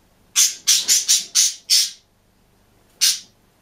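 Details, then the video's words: Green budgerigar alone in a cage, singing and chirping: a rapid burst of six harsh, buzzy squawks over about a second and a half, a short pause, then one more loud squawk, in a quiet room. "МИЛЫЙ И ЗАБАВНЫЙ ПОПУГАЙ ПОЕТ И ЧИРИКАЕТ/ОДИН В КЛЕТКЕ/зеленый попугайчик"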